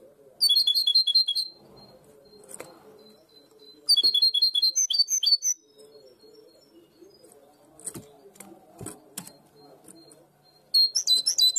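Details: Goldfinch hybrid singing short bursts of the primaveras (herrerillo) song style known in Barcelona, quick repeated high notes separated by long quiet gaps with low room noise and clicks.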